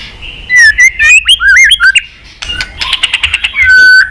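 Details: White-rumped shama chattering song meant to provoke fighting: quick slurred whistles bouncing up and down, then a fast even trill of repeated notes ending in a steady held whistle.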